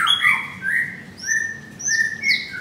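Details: White-rumped shama singing in a cage at a bird kiosk in Jakarta, a short burst of whistled slurs and sustained clear notes, some high and thin, others mid-pitched.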